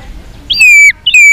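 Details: White-rumped shama giving its fighting song: two loud, clear whistled notes, each starting with a brief upward flick and then holding steady, separated by a short pause.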